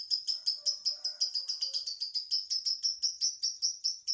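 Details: High, loud chirps from a lovebird repeated in an even rhythm of about four to five per second, bright and sharp, with a faint low murmur underneath in the first half.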